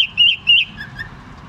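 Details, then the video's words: Caged bulbul at a bird market, giving clear whistled notes: two loud wavering high whistles, then softer lower whistles fading away. "البلبل الجميل دو التغاريذ الجميلة"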